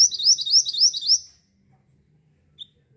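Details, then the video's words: High, rapid twittering song of a Javan sunbird (mantenan), played to attract birds: about a second of quick, sharp, rising notes, then quiet with one faint chip. "mantenan gacor sangat cocok buat pancing burung bahan"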